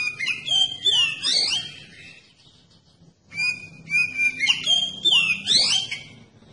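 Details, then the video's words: Oriental magpie-robin singing a lure song meant to stir other magpie-robins into song: two lively phrases of piercing whistles, quick trills and swooping slurs, separated by a brief pause, over a soft low hum. "Kacer Anda Bisa Langsung Nyaut dan Gacor Pakai Video Kacer Pancingan ini"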